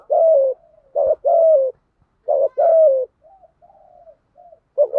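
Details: Spotted dove kept as a decoy, cooing to stimulate wild-caught birds: paired low coos, a brief note followed by a drawn-out falling coo, then soft faint coos trailing off in a quiet setting.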